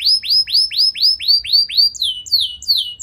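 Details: Canary singing vigorously to set other canaries off: a clear series of arching slurred whistles, about three per second, followed by quicker descending notes.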